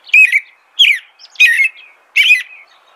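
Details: Four loud, slurred whistled phrases from an American robin, each a rising-then-falling carol spaced about two-thirds of a second apart.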